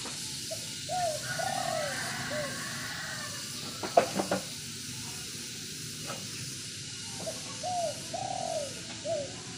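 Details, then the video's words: Low cooing phrases from a spotted dove, one early and one near the end, each a few mellow notes with a drawn-out middle. A steady hiss and some sharp clicks midway. "burung tekukur bikin adem"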